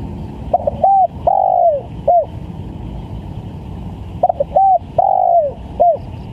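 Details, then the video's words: Spotted dove lure call for catching birds: two complete phrases, each starting with rapid stuttered notes, then a short coo, a long coo falling away in pitch and a short end note, over low background noise. "PANCINGAN TEKUKUR||SUPER GACOR"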